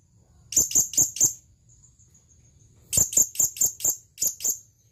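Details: Calling male blue-crowned hanging parrot, aimed at a female: quick runs of piercing high chips, four then about seven, linked by a faint thin whistle between bursts.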